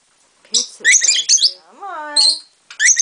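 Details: Pet lutino peach-faced lovebirds calling back and forth indoors, a female perched on a shoulder: harsh bursting squawks, then a drawn-out nasal rising-falling call, ending in another squawk.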